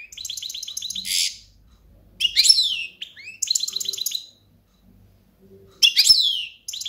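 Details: European goldfinch song heard live: short rattling bursts of high, tinkly twitters and a harsh buzzy note, each phrase about a second long, broken by brief silences.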